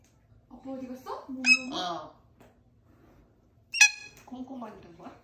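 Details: A pet grey parrot talks in human-like Korean phrases, copying family members' voices, with voice-like syllables broken by two sharp, bright squeaky bursts, in a quiet room.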